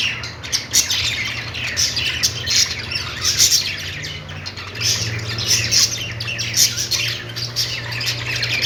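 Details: Budgerigars making happy noises: steady stream of overlapping high chirps, clicks and short squawks, with frequent loud accents, accompanied by a persistent low mechanical hum.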